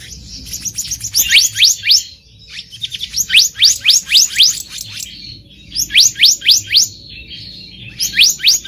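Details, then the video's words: Black-naped monarch in its natural habitat repeating sharp, rising whistles in bursts of four or five, about four notes per second, with brief gaps; captured for luring birds in trapping. "SUARA ASLI BURUNG KEHICAP RANTING DI ALAM LIAR EDISI KHUSUS PIKAT"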